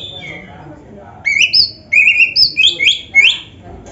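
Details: Oriental magpie-robin singing in a gacor training recording with rich fills; after a soft start, loud whistled phrases with rising and falling slurs and sweeps, about six bursts in quick succession, over a faint low background hum.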